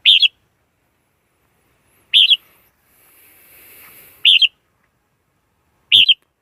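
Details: Red-whiskered bulbul repeating a short, lively rolling whistle phrase four times, about two seconds apart, with a soft hiss rising between the third and fourth phrases.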